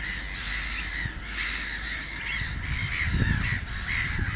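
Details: Pied avocet (Recurvirostra avosetta) on a summer outing, giving sharp, high, slightly nasal 'kluit' notes repeated roughly every second over a steady low rumble of wind.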